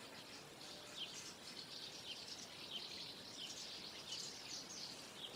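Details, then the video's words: Flock of common house martins gathering before flight, many birds twittering at once in a soft, continuous high chatter with scattered brighter chirps. "MARTINS FLOCK TOGETHER BEFORE FLIGHT"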